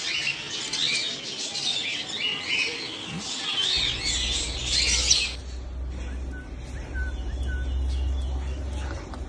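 African grey parrot chicks give harsh, raspy, overlapping squawks and chirps, then fall quiet over a low hum.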